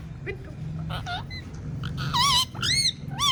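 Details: Talking pet parrot giving a few short arched whistles and squeaks, rising then falling, over a steady low hum and soft background voices.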